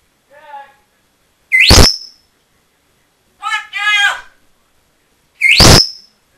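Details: Congo African grey parrot, bought at seven years old, left alone in a room and rambling away; short burbling harmonic notes, two loud rising whistled squawks and a chattering speech-like phrase, with silent gaps between.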